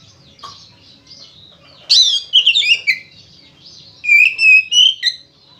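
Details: Oriental magpie-robin in full, loud fighting song used to stir other magpie-robins to sing; a rapid chattering burst is followed by bright, sustained whistled notes.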